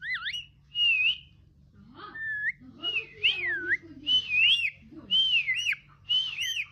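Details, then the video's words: Pet parrot singing a string of bright, wavering whistles, each phrase rising and falling in quick loops and repeated about every second, with occasional lower sliding notes and brief breathy bursts between phrases. "My parrot is singing"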